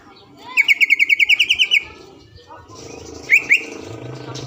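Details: Lure song of a lively green leafbird meant to make a rival sing at once: a fast run of about a dozen sharp, evenly spaced chips, then a quieter stretch with two brief notes.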